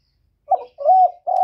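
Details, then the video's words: Close, clean coo from a decoy spotted dove contesting a wild bird: three low, hollow notes, a short one, a long level drawn-out coo, then another, on a quiet background. "Tiếng cu mồi lỡ gù đấu bổi"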